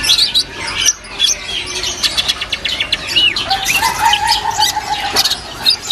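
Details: A caged white-eye at a kiosk in Pramuka bird market sings busy, high twittering phrases with quick chirps and slurred whistles, mixed with other caged birds' chatter in a noisy shop.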